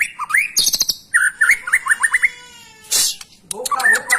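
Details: Singing white-rumped shama, gacor style, used as training for young or lazy birds: a rising whistled slur, a harsh high rasp, a string of quick rising notes, then a noisy burst and warbling.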